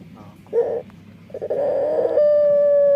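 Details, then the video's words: Dove with a strange, distinctive song: short buzzy rolling coos, then a long purring trill that ends in a steady, pure held hoot. "Suara Unik Burung Puter // Unique Sound Singing of dove"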